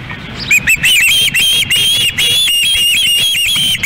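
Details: Osprey chicks on a Montana nest cam during an evening fish delivery, August 2016: continuous high whistled squeals, wavering and slurred, in near-unbroken runs with some noise beneath.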